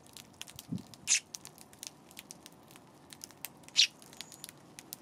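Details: Eurasian tree sparrow on a 31 March afternoon: two loud, short, high chirps about three seconds apart over soft pattering and faint ticking sounds.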